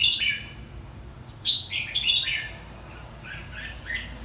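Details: Red-whiskered bulbul, a two-season bird from Quảng Nam, Vietnam, sings bright chirpy whistled phrases, a quick burst at the start, then louder sharp rising notes mid-way and softer warbled notes toward the end, over low background hum.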